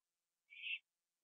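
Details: Owl eating a gopher on a porch late at night, 21 September 2011, before flying to a tree to sit with another owl; a single short, harsh, hissing screech in otherwise silent surroundings.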